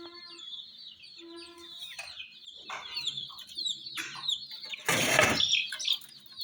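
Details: ['Chicks of domestic hens with a toy jeep, rapid high peeps filling the background, a short low tone twice early on, and a loud rustling burst just before five seconds.']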